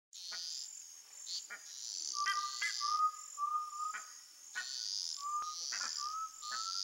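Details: Undulated tinamou (jaó) song from the sertão: two series of three clear whistled notes, each slightly rising, over a loud steady insect hiss, with sharp clicking calls scattered throughout.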